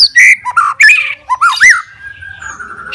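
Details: White-rumped shama singing aggressively toward rivals, with loud whistled notes, dipping and rising slurs, then a long thin level tone fading out.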